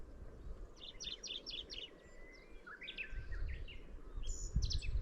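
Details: Middendorff's grasshopper warbler producing repeated quick, chattering note clusters with a few rising slurred calls, while gusts of wind rumble low throughout.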